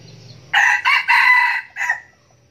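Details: Captive red junglefowl decoy bird, kept for luring and said to crow often, gives a loud four-part crow: three harsh, closely joined bursts and a short, separate final note, with faint low background hum before it.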